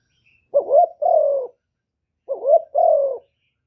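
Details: Spotted dove decoy cooing used to lure wild doves: two soft, low, hollow phrases, each a quick rising note followed by a longer falling coo, spaced about two seconds apart in silence.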